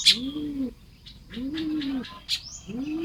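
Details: In the morning at Lopburi, Thailand, on 1 May 2026, Baya weavers busy nest building utter loud sharp chips and a long rising wheeze. Low soft cooing from another bird sounds steadily beneath them.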